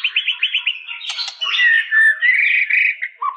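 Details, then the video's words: Rapid string of five short repeated whistled notes, a harsh burst, then sweet sliding whistles in the song of a white-rumped shama. "Suara burung murai batu"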